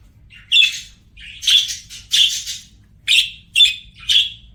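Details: Pet budgerigars singing: spaced, sharp buzzy chirps about once a second, separate notes with quiet gaps between.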